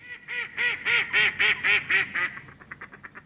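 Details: A female Mallard at Slimbridge gives a run of loud, nasal quacks, about four a second, swelling then trailing off into softer, quicker ones.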